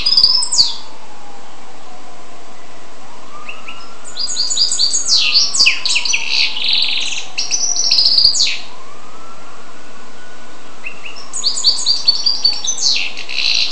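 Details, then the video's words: Goldfinch crossed with canary delivers bursts of rapid twittering song, with chirps, trills and buzzy notes, separated by short quiet gaps; a faint, low rising-and-falling wail, like a distant siren, sounds twice in the background. "carduelis carduelis x canaria"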